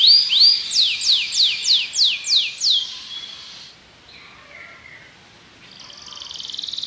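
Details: Belgian canary delivering a run of about eight clear, falling whistled sweeps, then a quiet pause with faint notes, ending with a soft high trill that grows louder.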